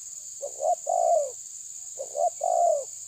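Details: Spotted dove pressing a rival, cooing in a challenging way: two matching low phrases, each a short stuttered coo followed by a longer descending hoot, over a constant high-pitched hiss.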